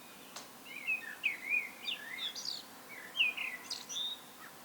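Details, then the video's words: Common blackbird singing alone: rich warbled whistles in flowing phrases, each ending in a thin high squeaky twitter, with a sharp click near the start. "Musträstas. [ No Copyright Bird Song ] ( Turdus merula )"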